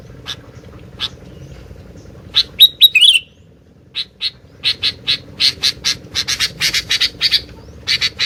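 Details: Sooty-headed bulbul singing energetically: a few spaced chirps, a brief warbled phrase, then a fast run of loud repeated chirps, over a low background hum.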